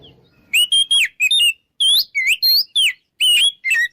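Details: Oriental magpie-robin in open song, used as a lure to make rivals want to fight; separate bright whistled notes and rising and falling slurs, delivered in quick succession.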